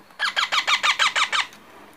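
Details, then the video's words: Baby parrot producing eight quick hoarse squawks, each a short harsh chirp at an even pace, in a quiet indoor setting with low background hum. "Baby parrot sound"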